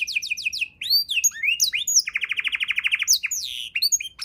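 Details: Canary delivering a luxurious 'isian' tutor song for songbird training: a few rising slurs, varied whistled notes, then a long even rolling trill of about twenty rapid pulses before more chirps.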